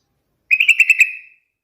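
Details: One quick, melodious bubbling phrase of about six rapid notes from a yellow-vented bulbul, fading into a slurred tail.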